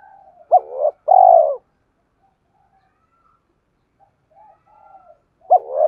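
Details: Spotted dove calling to provoke other doves to coo: a sharp rising note, a purring break and a long, falling coo. After a quiet pause with faint sounds, the phrase begins again at the end.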